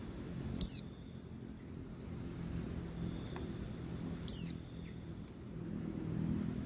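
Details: Female Oriental white-eye calling the male, used to stir males into singing; two thin, sharply descending whistled notes about four seconds apart over a steady high-pitched whine and low background rumble.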